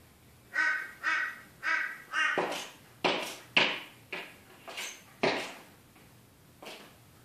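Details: A crow attacking its own reflection gives about ten harsh, hoarse caws at irregular intervals. The first few are drawn-out and nasal, and the later ones are shorter and sharper, over a quiet background.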